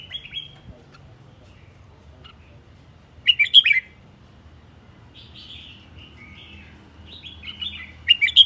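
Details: Red-whiskered bulbul decoy bird, aggressive, singing: loud whistled phrases in short bursts separated by quieter, softer warbling and long pauses.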